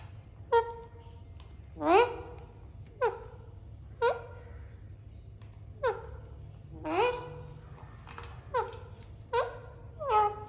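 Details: Alexandrine parakeets talking and playing utter a series of about a dozen short, rasping, harmonic calls at irregular intervals of one to two seconds, some rising sharply, others falling.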